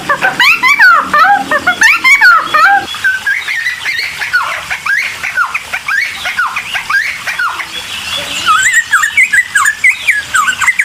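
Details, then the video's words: Cucak timor singing excitedly to provoke other birds to answer, a dense torrent of rapid, varied whistles and chattering notes with quick pitch sweeps, barely pausing throughout. "CUCAK TIMOR GACOR EMOSI....‼️100% BIKIN BURUNG LAIN LANGSUNG NYAUT"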